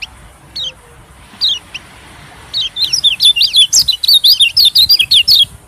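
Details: White-eye calls used as a bird-attracting lure: a few scattered high chirps, then a fast, dense chattering run of thin, downslurred notes over the last three seconds.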